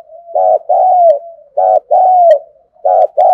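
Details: Captive decoy spotted dove cooing to lure wild birds: paired phrases, a short throbbing note then a longer slurred note falling at the end, repeated about every 1.3 seconds, with soft low coos between phrases.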